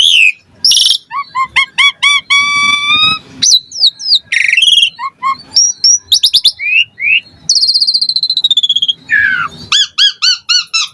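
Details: Full, energetic Asian pied starling song meant to prompt reluctant starlings to sing: ladders of repeated bright whistles, descending slurs, harsh buzzes and a long falling note, delivered in quick succession.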